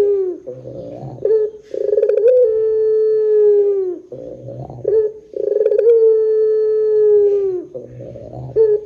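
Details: Barbary dove singing long pelung coos meant to draw other doves into calling: two cycles, each a short rough rumble, a rolling flutter, then a sustained clear low coo lasting about two seconds that slowly falls.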